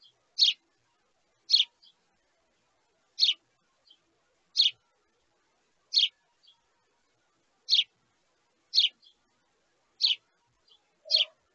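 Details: A young sparrow chick begging its parents for food gives nine short, harsh, high chirps, roughly one every second or so, with near silence between them.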